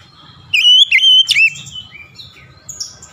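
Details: Oriental magpie-robin song used to make lazy birds sing: loud, clear sliding whistles in a tight run, then softer trailing notes, over faint low hum.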